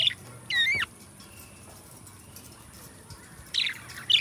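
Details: Pet budgerigar singing and talking, a loud rising then falling whistled chirp, a long quiet gap, then two more scratchy chirps close together.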